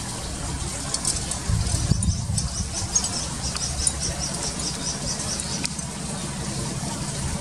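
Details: Malaysian pied fantail chicks beg for food from their mother with thin, very high, rapid squeaky cheeps in a steady chattering stream over a low rumble of background noise.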